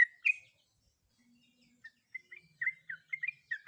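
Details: Female sooty-headed bulbul, in breeding condition, calling for a male; a loud slurred note opens, a pause follows, then scattered short chirps build into quick irregular chattering notes, with a faint low hum underneath.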